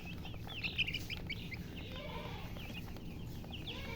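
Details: Chicks alongside a hen give scattered high peeps, denser early on and thinning later, over a low steady hum.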